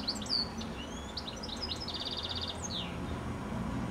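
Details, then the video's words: Close evening song of a goldfinch on a telephone wire just before sunset: rapid varied whistles and chirps, a long evenly pulsed buzzy trill, then a descending slurred note, all continuous and bright. "Goldfinch Singing a song"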